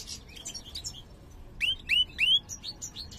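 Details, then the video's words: Ringed mutant European goldfinch, major form, in song described as poor: soft, jumbled high twitters, then three loud, upward-sweeping whistled notes in quick succession, followed by quieter chirps. "jilguero mutado cantando (jilguero mayor)"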